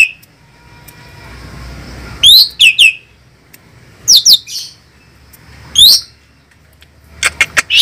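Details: Asian pied starling, described as fierce, uttering sharp, rising squeaky notes in clusters of two or three, with a faint steady hum underneath.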